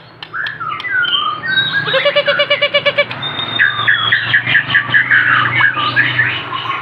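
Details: Aceh white-rumped shama delivering a rich, varied song: quick fluty whistles, then a fast rattling series of clipped repeated notes, followed by bright chirped phrases over a low background hum.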